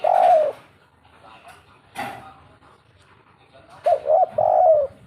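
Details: Spotted dove in the kuk 3 style, giving a long hollow coo at the start, then a brief noise and, near the end, a phrase of two short coos leading into a longer drawn-out note.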